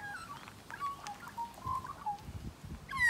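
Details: Magpie at close quarters making quiet, broken warbling notes, short whistles wavering up and down, ending with the start of a louder harsh call.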